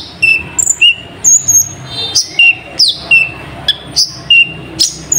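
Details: Brown-throated sunbird in full song with nightjar mimicry: bright level whistles and steep falling notes traded back and forth, unevenly spaced, with one very high sustained tone.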